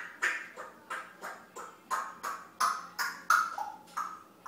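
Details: Grey parrot, waiting for its lunch, chattering nonsense in short, harsh, voice-like syllables, roughly one every half second, some with clear whistled tones mixed in.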